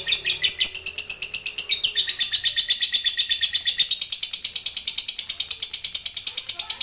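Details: Fighter lovebird in a long, unbroken ngekek trill meant to set other lovebirds trilling: a fast, harsh, rhythmic chatter of even pulses that holds steady for the whole stretch, with a brief change in tone early on.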